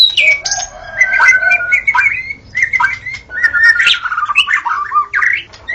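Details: Dawn song of a white-rumped shama, with long level whistles mixed with harsh, buzzy notes and quick chattering bursts, the phrases changing constantly and overlapping densely.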